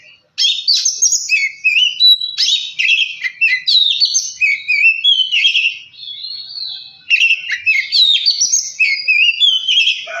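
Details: Oriental magpie-robin singing to stir another bird into song and agitation: a continuous rich medley of whistles, trills and chattering notes after a short silent start, with a steady held whistle near the middle.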